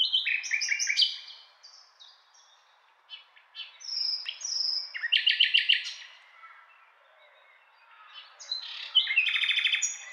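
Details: Varied song of a common nightingale: three separate phrases of rattling trills, clear whistles and buzzy high notes, divided by short silent gaps.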